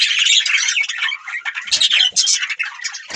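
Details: Nonstop high budgie warble: scratchy chirps and squeaky notes running together without a break.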